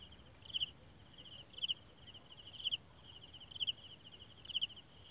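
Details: Olive-backed sunbird parents feeding a very small chick: high, thin double chirps repeat about once a second over a steady high insect-like hum.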